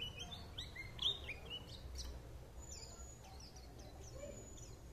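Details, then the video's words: White-eye singing: a string of thin, high whistled notes and quick chirps, sweeping and twittering in short bursts, amid a steady low background hum. "Nghe Khuyên líu lô"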